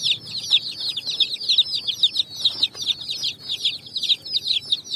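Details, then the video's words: Coloured chicks on sand searching for food as the evening sun shines; rapid high peeping from many chicks at once, notes sliding downward, about two each second per bird. "Chicks Chirping"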